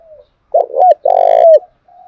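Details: Spotted dove from Đồng Nai, Vietnam, giving a provoking coo used to train decoy birds. A soft note leads into two loud hollow coos, then a long vibrating rolled coo that drops at the close and a faint trailing note.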